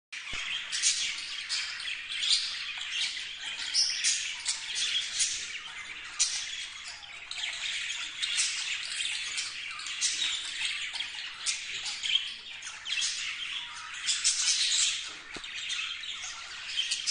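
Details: A budgerigar chatters continuously with high, scratchy warbles, chirps and squawks, recorded March 12, 2025.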